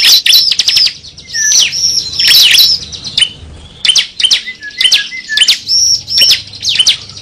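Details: Lure call of the cible bird for trapping: clusters of high, sharp chirps and quick whistled slurs, broken by short gaps, with a few lower single notes between bursts.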